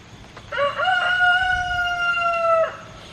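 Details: A backyard rooster that patrols the yard and sounds alarms at strangers gives one two-second crow on a rainy day: a short rising note, a loud, level, brassy tone, then a drop at the end over a quiet yard.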